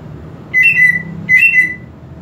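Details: Two level, pure whistled notes from a home-kept greater green leafbird (cucak ijo), each held about half a second with a slight upper flourish, against soft low background hum.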